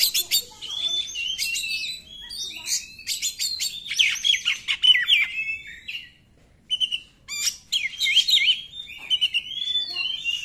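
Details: Oriental magpie-robin in 'nembak' song, played to provoke magpie-robins that will not sing: a long, varied stream of bright whistles, trills and chattering notes, broken by a short silence near the middle, then resuming just as energetically.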